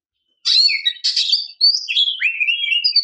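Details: Calling female oriental magpie-robin luring a male, with two rasping chattery notes followed by a flowing series of clear, wavering whistles that slide down and back up.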